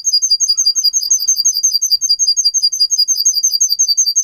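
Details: Russian singing canary, a bird bred for song used to teach other canaries, delivers a fast, high, even trill of tiny repeated chirps, about three notes per second layered into a continuous bright ripple, with no other sounds.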